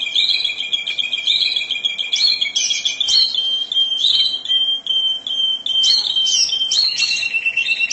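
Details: Canary song described as captivating, 'mabok teler' style: two overlapping sustained whistles with varied chirps and short warbled phrases above them, continuous over background noise.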